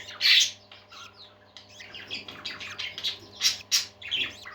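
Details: Several happy pet parakeets singing indoors: a loud squawky chirp opens, followed by a busy stream of short chirps, warbles and scratchy notes, with brief sharp squeaks near the end over a faint steady electrical hum.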